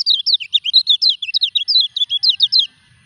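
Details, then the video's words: Lemon-bellied white-eye undergoing moult, pouring out a dense, rapid string of bright high chirps, each note sliding up and down, ending abruptly into quiet. "KECIAL KUNING NGURAK TETAP EKSIS"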